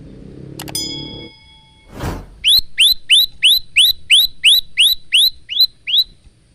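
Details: Male Bar-winged prinia, a lively singer recorded on a phone for training caged birds: after a brief tonal beep and rumble, a steady run of about thirteen sharp rising chirps, roughly three per second.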